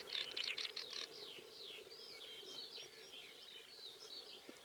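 Swinhoe's Snipe gives a quick burst of sharp, high chirps, then a run of slurred, downward-sliding notes, over a steady low hum.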